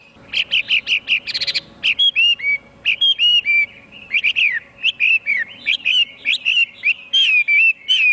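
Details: Loud, varied Chinese hwamei song opening with fast stuttered notes and a brief harsh burst, then fluid whistled slurs and falling phrases in quick succession, with a faint background hum.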